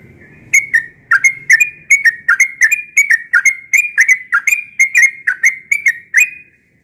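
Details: Yellow-vented bulbul, a bird said to sing often in the morning, delivering a steady run of about sixteen short, bubbling whistled notes near one pitch, each with a sharp clicky edge, spaced roughly every third of a second; faint low rumble early on.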